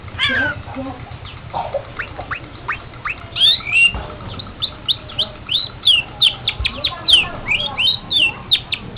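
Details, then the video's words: Long-tailed shrike used as a tutor recording for cage birds: fast, scratchy song of short high chirps and downslurred notes that speed into a dense, irregular run of sharp ticks. "Masteran Suara Burung Pentet"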